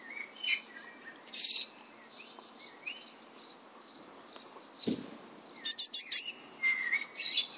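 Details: Great tit (Parus major) in Bratislava, 22 May 2013, giving bright, high chirps and sharp metallic notes, then a rapid run of five clipped high pips near the end. Scattered other bird notes and one brief low thud.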